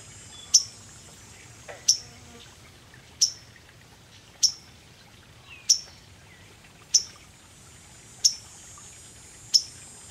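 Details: A waterthrush moving about on a branch overhead gives sharp, high, metallic chip notes, about one every 1.25 seconds, eight in a row, over a faint steady hiss; 30 July 2011.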